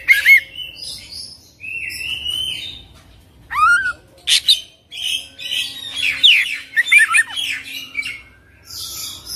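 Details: Oriental magpie-robin singing ngerol gacor with full isian. A varied, busy mix of whistles, clicks and scratchy notes, including a steep swooping whistle, comes in scattered bursts over faint background noise.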